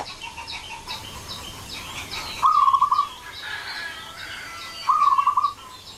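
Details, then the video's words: Young wild local zebra dove singing as a lure for other doves: two short rolling, pulsed coo phrases about two and a half seconds apart, with faint chirping of other birds behind. "SUARA PANCINGAN MANGGUNG BAKALAN PERKUTUT LOKAL ALAM BIKIN PERKUTUT LAIN IKUTAN MANGGUNG"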